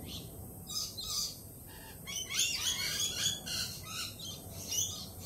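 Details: Lorikeets still jumpy from a Peregrine Falcon attack earlier in the week make a busy stream of shrill, grating squeals and chirps, many birds calling over one another.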